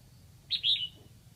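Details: A red-whiskered bulbul kept as a decoy in Lạng Sơn gives one crisp phrase meant to lure wild bulbuls: a high clipped note, then a longer whistled warble dropping in pitch, over soft background rumble.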